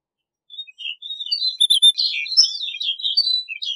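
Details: Snow bunting singing a lively run of high, warbled twitters and short slurred whistles that builds and carries on for about three seconds.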